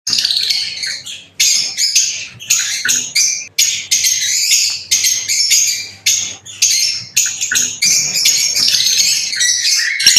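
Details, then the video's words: Lovebirds chirping: dense, high-pitched, harsh chattering bursts lasting one to two seconds, overlapping and repeated almost continuously with short gaps. "লাভবার্ড পাখির ডাক - LoveBirds Chirping Sounds - Lovebird Sounds Singing"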